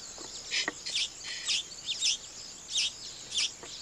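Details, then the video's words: Weaver birds building nests make loud, harsh, sizzling bursts about every half second, each a quick cluster of high scratchy notes. "weaver bird sound n nest building"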